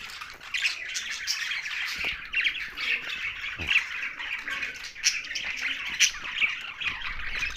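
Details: Budgerigars living with parrots in Larkana, Sindh; continuous scratchy chirping and warbling from several birds, with occasional louder squawks and faint knocks in the background.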